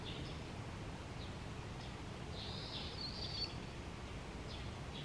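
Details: Wild barn swallow by the Tama River gives a short, high, slurred twittering phrase in the middle, with a few faint isolated chirps before and after over steady low rumbling background noise.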